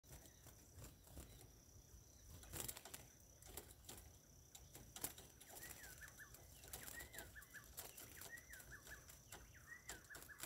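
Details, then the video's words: A chestnut-bellied seed finch sings short phrases of clear, swooping whistled notes, repeated about every second, over loud taps, thumps and rustling. "Curió alicate na pegada"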